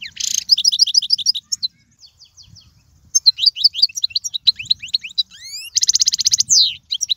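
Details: European goldfinch song, played for teaching young birds: rapid high twittering of short sliding notes, a quieter gap with sparse chips, then rising whistled slides and a dense buzzy trill burst before the twittering resumes.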